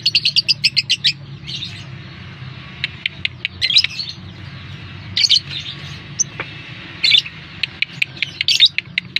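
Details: Lure call of a lovebird used to draw responses from other lovebirds: a quick opening burst of high chirps, then sparse squeaky notes and isolated ticks over faint hum.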